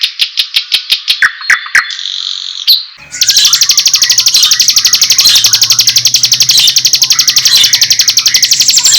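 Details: White-rumped shama song, used as tutoring material and to stir up birds' excitement: a few sharp separate notes, then a long, fast, even buzzing rattle that repeats about four times a second.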